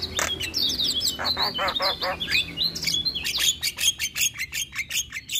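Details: Javan myna song used as a lure to prompt caged mynas that have stopped singing, are stressed, moulting or mute: a fast mix of harsh buzzy bursts, whistled rising and falling notes and chattering clicks, high-pitched and irregular.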